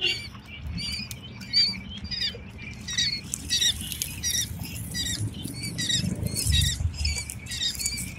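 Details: High repeated peeps from a group of eight-day-old quail chicks, dense overlapping chirps throughout, over steady low rumble and scratching sounds.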